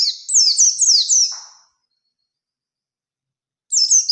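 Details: Oriental white-eye singing energetically in wild style to stir a rival into answering: fast, high, downward-slurred twitters for about one and a half seconds, a faint lower note, a pause, then another burst.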